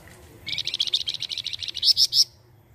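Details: Flamboyan used as a tutor bird for white-rumped shamas, in vigorous song: a rapid stream of high, chattering repeated notes followed by three loud, sharp, piercing notes at the end.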